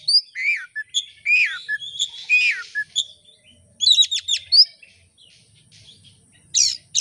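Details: Oriental magpie-robin singing as a lure: downslurred whistles, a buzzy passage, a fast run of sharp ticking notes, then harsh bursts after a pause.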